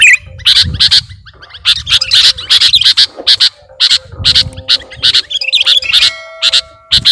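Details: Kutilang, the sooty-headed bulbul, in full lure song packed with mimicked phrases: clusters of loud, clipped high notes in quick runs separated by short pauses, plus a few thin steady tones and low background hum.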